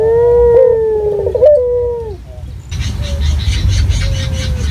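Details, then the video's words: A local Barbary dove lure recording in a clear voice: one long, smooth, falling coo with a short extra note. A hiss of broadband noise follows, with a faint distant coo. "Pancingan Burung Puter Lokal Gacor Suara Jernih Alami"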